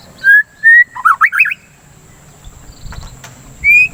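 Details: White-rumped shama song used to stimulate singing and calm breeding excitement: two clear level whistles, a quick tumbling warble of rising notes, a pause with faint clicks, then another long whistle.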